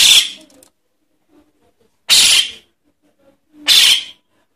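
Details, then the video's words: Begging calls of a Javan myna chick, used as a lure for adult mynas: three loud, harsh, hissing rasps, each about half a second long, spaced nearly two seconds apart, with silence between. "Suara anak jalak kebo untuk pikat burung jalak kebo indukan"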